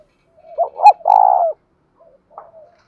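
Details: Spotted dove's thổ sấm-style call, used to excite decoy birds. One deep phrase: a soft lead-in, a quick double note, then a sustained rolling coo, followed by faint quiet notes.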